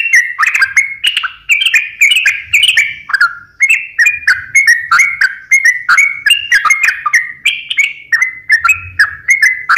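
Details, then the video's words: Lively sooty-headed bulbul song played as a lure for lazy or stressed caged birds: a steady stream of short warbled, bubbly whistles, each with a crisp click, falling then rising in pitch, with faint low rumble. "pancingan suara burung trucukan gacor"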